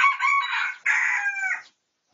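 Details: Pradu-coloured red junglefowl crowing, recorded for research on 18 August 2023: a loud, hoarse, harmonic crow in two parts, a first phrase of almost a second, a brief break, then a second drawn-out phrase that trails off.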